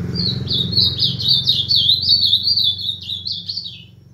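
An ultramarine grosbeak sings a fast, rich warbling phrase of sweet whistled notes that rise and fall, over a low indoor hum.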